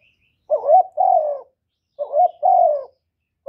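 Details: Spotted dove, a kept decoy bird, calling to attract wild doves: two full coo phrases about 1.5 seconds apart, each a short rising note then a longer level-to-falling coo, clean background.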